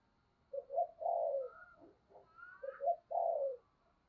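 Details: Lure spotted dove cooing over a low background hiss. The bird gives two repeated phrases, each a choppy double note leading into a long, buzzy, falling coo, with a faint higher whistle between them.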